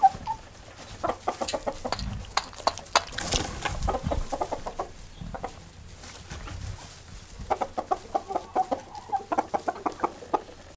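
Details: Hens moving about, with busy, repeated short clucks and grunting notes in irregular bursts, over scuffling and rustling noise throughout.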